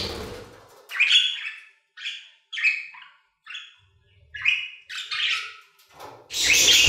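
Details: Budgerigars in an aviary giving short separate bursts of chirpy, scratchy notes with brief silences between them, closing with a loud broad rustling burst.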